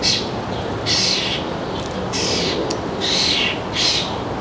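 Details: Recorded around 4 p.m. on July 3, 2022 at a suburban feeder in northern New Jersey: scratchy, hoarse calls in uneven pairs, five in four and a half seconds, with a soft tonal whistle inside some notes and background hum.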